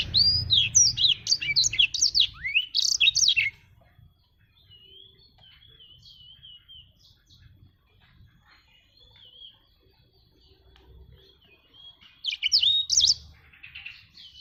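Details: Black-throated canary singing actively: fast bursts of high, twisting whistled notes open and close the stretch, with a soft, thin warbling run in between.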